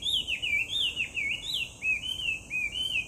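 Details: Song of a Chinese hwamei, filmed 18 July 2019: loud, fluty whistles in rolling, down-swooping phrases about every half second, varied and melodious, over a faint constant high hiss.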